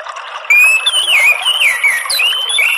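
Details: An orange-headed thrush sings a loud, rich run of whistled phrases that swoop up and down and blend into squeaky, chattering notes, in a recording used as a lure or therapy sound for the species.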